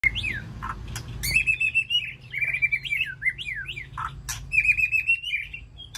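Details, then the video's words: White-rumped shama in an aviary, calling to its flock: rich, varied whistled phrases around mid-high pitch, sliding notes and trills, interspersed with sharp clicks, over a low background hum. "Sound of White-rumped Shama Call to Flock"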